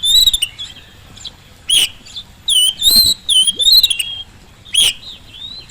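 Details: Oriental magpie-robin in strong song, a lure to draw replies from reluctant birds at home or in the field: clusters of sweet whistled notes and quick upslurs, interrupted by short silences.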